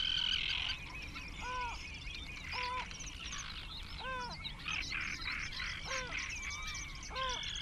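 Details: Great crested grebes at a colony of about twenty birds nesting close together, 21 June 2024: short arched, nasal calls repeated roughly every second, over a steady background of high, busy songbird chatter.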